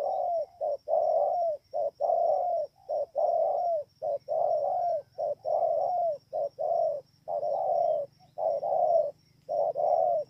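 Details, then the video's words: Spotted dove in Kon Tum, Vietnam, at Bờ Y on 28 November 2017, cooing without letup: paired phrases of a quick coo and a longer falling coo, roughly one per second, over a soft low rumble. "CU GÁY"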